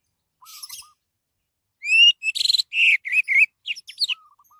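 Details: Orange-headed thrush song used to coax other birds to sing: a soft chatter, then a loud rising whistle, buzzy rattle and several varied sweeping notes, ending with quieter lower notes.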